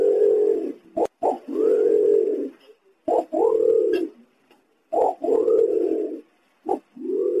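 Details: Green imperial pigeon calling, a recording used as bait to attract others of its kind: repeated deep booming coos, each preceded by a short clipped note, roughly every two seconds in a series of four.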